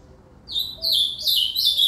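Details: Short burst of ultramarine grosbeak song, with a loud, clear whistled note followed by quick, tumbling warbled notes in just over a second.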